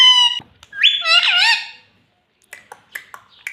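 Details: Talking pet parrot said to say "mummy": a sustained, strongly harmonic call and a wavering, speech-like phrase, followed by several short clipped notes.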